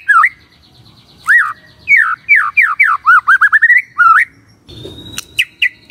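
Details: Morning song of a magpie-robin, meant to draw an answer from silent birds: a rapid series of loud, sweeping down-slurred whistles strung together, ending in a few sharp high notes.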